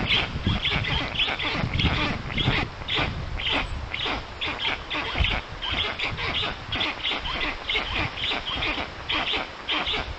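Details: Rasping, repeated notes from a black stork nest in Puszcza Notecka, Poland, afternoon of 13 June 2019, when a strange adult came to the storklets; calls run in quick irregular runs over constant low background noise.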